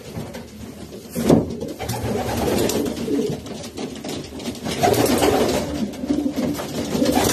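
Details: Racing pigeons cooing softly in low, throaty murmurs, with a sharp knock near the start and steady rustling and clatter in the background.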